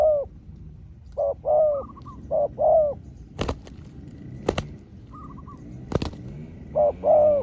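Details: Spotted dove trading calls with a wild rival dove: clusters of two or three soft coos, a pause broken by sharp clicks and knocks, then coos resume at the end.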